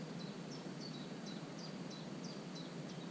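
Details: Common cuckoo nestling sitting in the nest of a marsh warbler on 27 June, giving a rapid series of short, high, thin downward-slurred calls, roughly three per second, steady and evenly spaced against a broad noisy hiss.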